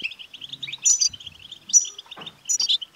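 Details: Short burst of European goldfinch song aimed at stimulating a male to sing: steady twittering notes broken by three loud bright high phrases, with some low clattering noise.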